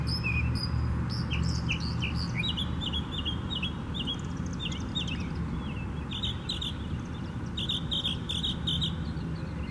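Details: A Northern mockingbird sings in Tattnall Square Park, Macon, Georgia, on 27 May 2015. It gives a quick run of varied chirps and slurred whistles, repeating some phrases a few times before switching, over a steady low rumble.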